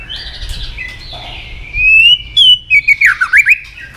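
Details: Female white-rumped shama chatter meant to rouse fighting males: a long, thin, slurred whistle rising gently, then a quick run of sharp chipping notes and twittering trills.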